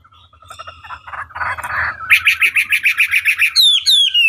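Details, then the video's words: Chinese hwamei tutor song to provoke other birds to respond: soft low warbling builds into a rapid series of loud buzzy pulses, about three per second, followed by sharp descending whistles. "Pancingan Masteran Wambi Durasi Panjang Efektif Pancing Lwan Agar Nyaut Emosi Gacor"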